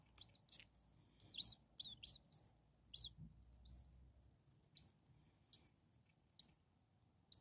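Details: Hungry common starling babies, six nestlings a few days old, squeaking in the nest: clear high arched peeps, clustered at first, then single calls spaced about a second apart.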